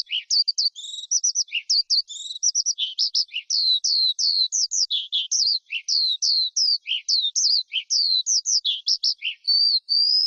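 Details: Forest skylark pouring out a varied, fast sequence of high chirps and downslurred whistles, some notes dropping lower, with a steady, unbroken rhythm.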